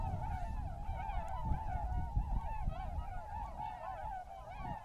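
A flock of tundra swans gives a steady chorus of high, hooting, slightly nasal calls that overlap continuously, over a low rumble of wind.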